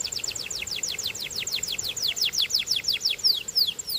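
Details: Belgian canary singing a steady series of falling whistled sweeps, about four to five per second, becoming brighter and more emphatic toward the end.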